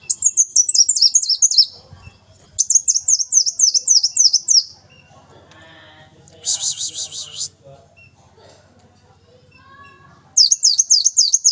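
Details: Lively brown-throated sunbird song in bursts: quick strings of high, repeated down-slurred notes about two seconds long, separated by pauses, one dense buzzy trill, and soft low background sound between phrases.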